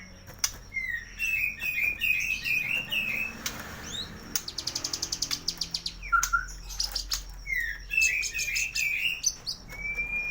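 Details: Loud, rich singing from a white-rumped shama kept at a bird shop in North Jakarta, Indonesia, meant to stimulate mute birds: repeated warbled whistles, a rapid rattling burst of about fifteen dry clicks, then more looping whistled phrases.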